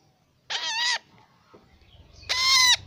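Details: Young parrot calling twice: rough, nasal, buzzy squawks of about half a second each, separated by a pause of over a second, with a faint low hum in the background.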